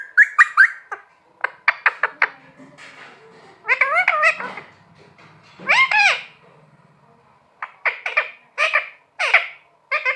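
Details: Pet talking parrot indoors giving a series of short harmonic, wavering vocalizations, some speech-like and rising-falling, in bursts separated by brief pauses, with a faint steady hum in the background.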